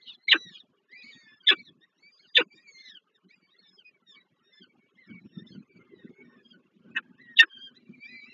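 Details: Peregrine falcon chicks beg as the female feeds them at Żerań, Warsaw, Poland, on 7 May 2023, the fourth chick still weak: sharp, piercing notes, three about a second apart, then two more, with faint thin peeps and rustling.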